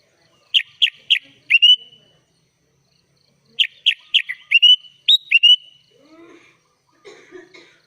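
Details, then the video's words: Gacor full isian song of a sooty-headed bulbul (kutilang), filled with other birds' phrases. Two bursts of sharp, rapidly repeated whistled notes ending in a drawn-out whistle, separated by silence, with faint low chatter afterward. "SUARA BURUNG KUTILANG GACOR FULL ISIAN"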